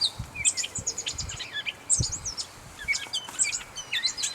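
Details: Gray catbird singing at North Tetagouche, New Brunswick: a jumbled run of squeaky, varied high phrases with short gaps between them, over faint low rural background noise.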